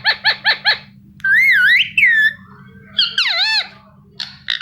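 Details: Pet Indian ringneck parakeet chirping: four quick, sharp downward chirps, then long wavering whistled notes that bend up and down, a sweeping falling squawk, and a few short closing chips; low background hum.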